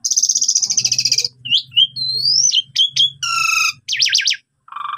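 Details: Asian pied starling in continuous varied song for training other birds: a long buzzy rattle, twisting whistled notes, a bright rising whistle, a rapid shrill trill and quick zigzag chirps, with a faint low hum.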